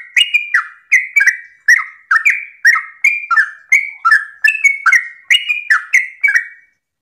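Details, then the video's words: Sooty-headed bulbul pouring out a continuous morning song to lure other bulbuls to answer: rapid, bright, falling whistled notes in close pairs and triplets, each with a crisp attack, running nonstop for about six seconds. "Pancingan trucukan gacor ropel pagi hari trucukmu pasti langsung nyaut"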